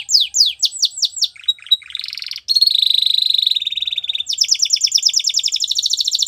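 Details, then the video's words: Spanish Timbrado canary training song: quick descending whistles, clipped chirps, a sustained buzzy roll, then a long rapid rattling trill. "Spanish Timbrado Canary | Canary Training Song"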